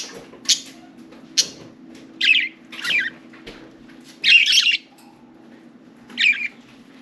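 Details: Four caged budgerigars playing and talking in and on their cage; scattered short ticks and harsh, warbling chirps at irregular intervals, with a constant low hum underneath.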